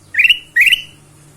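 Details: Lure recording of a ruby-throated bulbul meant to set other birds singing: two loud, upward-slurred whistled notes in quick succession, each rising then levelling off, against a quiet background.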